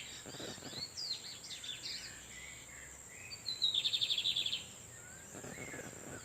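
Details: Lined seedeater (bigodinho) in the wild in Brazil, where a female was incubating on a nest while males exchanged songs nearby: high chirps and scratchy notes lead into a rapid, rattling trill of about a second, over a steady high insect-like hiss.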